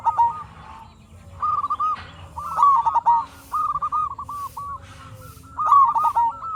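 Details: Zebra dove of local stock singing as a lure for other zebra doves: a string of soft, rhythmic cooing phrases, each a fast chain of bouncing notes, with quieter overlapping coos between the louder bursts.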